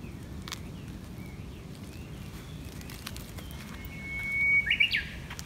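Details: Japanese bush warbler singing on a morning walk after rain: a long thin steady whistle rises into a short burst of loud warbled notes at the end, over a low constant background rumble.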